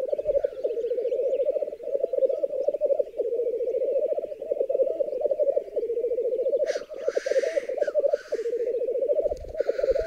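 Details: ['Black grouse males displaying to females at a long-known lek on a raised bog in the Berezinsky Biosphere Reserve; rich, unbroken bubbling coo for ten seconds, interrupted late by two explosive hissing sneezes.']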